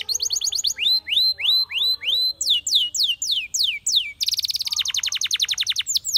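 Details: A Spanish Timbrado canary delivers a sequence of curved, rising whistled notes, then sharper descending sweeps, then a fast pulsing trill of quick repeated notes that runs to the end.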